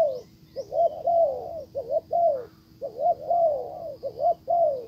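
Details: Decoy spotted dove calling to coax a wild bird back, the wild dove leaving instead; low rolling coo phrases in two bursts separated by a pause, two high chirps at the start.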